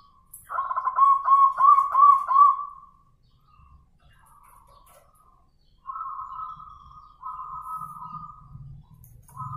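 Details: Zebra dove cooing in response to a lure bird; a burst of rapid trilled coo notes, a quiet pause, then long smooth held coos with faint low thumps.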